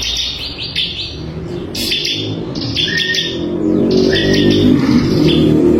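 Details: Crystal-variety bar-winged prinia, kept as a tutor recording for songbirds, delivers rapid high chirps in runs, with a few lower whistled notes between them and a steady low rumble underneath.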